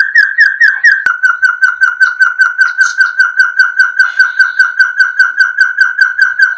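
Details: Rapid, evenly timed run of short whistled notes from a puyuh gonggong, a quail known for its barking voice, about two and a half notes per second at constant pitch, with a sharp click early on and a faint higher chirp midway.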